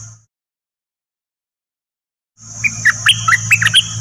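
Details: Dok Taeng bird song played to train young birds and make birds lively: after a silent stretch, a quick burst of sharp chirps and short rising whistles, over a steady high whine and low hum.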